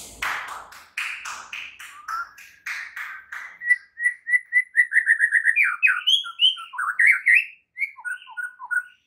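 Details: Morning training song of a White-rumped shama used to make other shamas sing, opening with rapid buzzy repeated notes, then a fast run of sharp whistled chips and looping rich warbled phrases.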